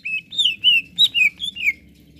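A greater green leafbird sings rapid, rich whistled phrases, about six bright slurred notes in two seconds, each dipping and rising at high pitch, with a faint background murmur.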